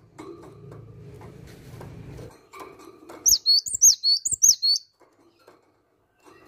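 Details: Cinereous tit singing a short burst of about six bright, high whistled two-part notes, each swooping down then up, after a stretch of low indoor rumble and faint clatter.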